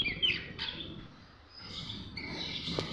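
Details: A pet talking common myna, being prompted with spoken phrases, gives squeaky, chattering notes with a few thin whistles, though no clear words come through. A low murmur runs underneath.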